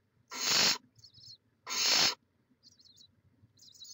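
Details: Live nest camera, Chula Vista, California, 18 May 2017: a barn owl gives two strong, raspy hisses about a second apart, followed by faint, high twittering scraps.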